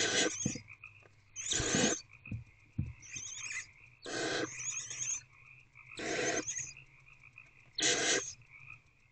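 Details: Nest-box owls at 1:48 am, older owlet swallowing a large piece of prey; loud harsh hisses alternate with quieter wheezy ones about every second, over a constant high-pitched whine and light tapping.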